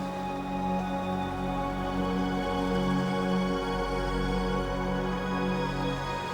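Soft, sustained ambient music with held tones and no animal calls.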